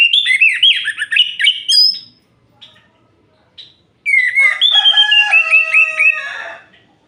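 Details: Orange-headed thrush singing at night, kept as a cage bird, two loud bursts of varied whistled and warbled notes with harsh harmonic tones, separated by a two-second pause with a few soft notes.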